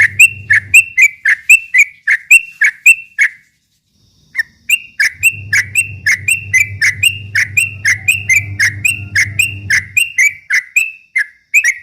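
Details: Provocation song of a Yellow-vented bulbul in ropel style: strings of clipped, high chirps at roughly two per second, broken by a short silence, with a faint low humming drone in parts.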